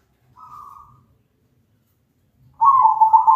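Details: Zebra dove singing as a lure so other zebra doves join in, with a loud, melodious voice: a faint short warbling coo, a pause of silence, then a strong trilled coo cut off at the end.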